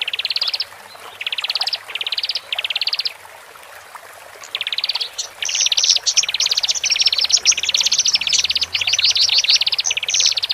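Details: Male and female Horsfield's bush larks in captivity, sung to settle birds just removed from the flock; separate short trill bursts at first, then a continuous run of rapid ticking phrases.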